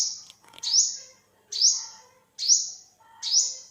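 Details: A short burst of four piercing up-swept notes from an olive-backed sunbird in 2021, spaced under a second apart, with a brief clicking noise at the start.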